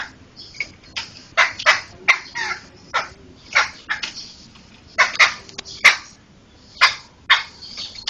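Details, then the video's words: Laughingthrush song used as a tutor recording for training other songbirds: loud harsh broadband bursts and sharp notes in irregular clusters, with quieter scratchy chatter between them. "Ocehan Burung Poksay"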